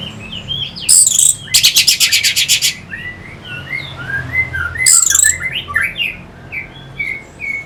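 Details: Lure song of an Orange-headed thrush from North Bali to excite fighting birds: loud, dense, high buzzy rattles in two bursts, surrounded by soft, varied whistled phrases that rise and fall.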